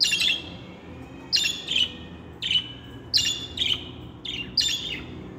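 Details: Budgerigar song of quick, high chirps with a downward-sliding start, arriving in pairs and singles about every half second, backed by a soft steady hum.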